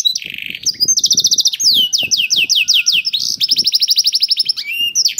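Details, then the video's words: Canary song to encourage other canaries to sing: a buzzy note, then continuous fast trills and rolling repeated syllables, over steady soft low thumping or rustling noise throughout. "KENARI GACOR CENGKOK ISTIMEWA #213 || VOICE OF CANARY"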